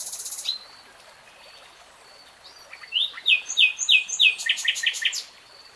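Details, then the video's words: Common nightingale: a burst of high buzzy notes, quiet hiss, then a rapid series of loud, sharp, repeated notes lasting about two seconds. Faint thin whistles from other birds. "BEST NIGHTINGALE SONG 3 Hours REALTIME Nightingale Singing"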